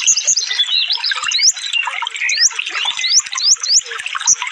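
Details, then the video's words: A sunbird (konin), recorded as a training track for cage birds, pours out a dense, rapid, high-pitched song: thin twittering chatter cut by sharp rising whistled upslurs, several each second, with no other sounds. "suara burung konin full tembakan"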